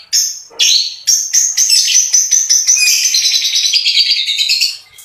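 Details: Cendet in rich gacor song, tembakan roll speed style: two sharp opening notes, then a long rapid rolling run of buzzy high notes that speeds up and slowly fades.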